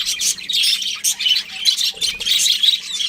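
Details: Several budgerigars give rapid, warbling chirps and raspy notes in dense bursts, separated by brief quieter gaps.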